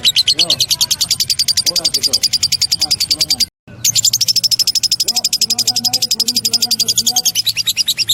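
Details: Many lovebirds singing in the vigorous gacor style. Dense, shrill, rapidly pulsed chirping runs on continuously, stops briefly midway, then resumes just as fast and loud, over soft lower sounds in the background.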